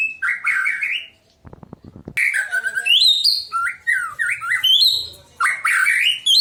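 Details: White-rumped shama song meant to set other shamas singing: varied rich whistles that rise, fall and jump in pitch, delivered in quick successive phrases after a brief pause filled by a few soft clicks.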